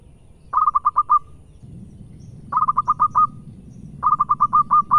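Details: A local zebra dove (perkutut lokal) gives quick bursts of five or six soft, stuttering cooing notes, each ending in a longer drawn-out coo, repeated about every two seconds over a low background rumble; a lure recording.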